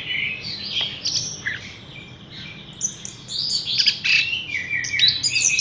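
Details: Caged Horsfield's bush lark, hung up without delay, giving a fragmented song: high twittering bursts, a quiet gap of about two seconds, then rapid squeaky chirps and sibilant trills.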